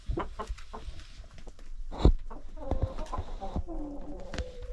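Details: Hens and roosters, about 25 birds in a village yard coop, during feeding by a woman; low handling thumps and knocks at first, then several drawn-out nasal harmonic calls near the end.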